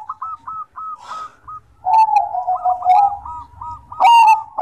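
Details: Bangkok-type zebra dove in full song: a run of quick, even, rolling coo notes, then a long low purring note, followed by another string of rounded repeated coos, broken by loud, harsh, ringing bursts.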